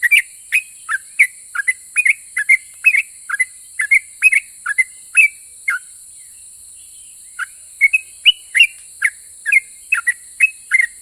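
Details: A very vocal yellow-vented bulbul whose song is said to make other bulbuls answer, giving a long run of short, clear whistled notes, some dipping and some rising, about two per second with a brief pause midway, over a steady high hiss.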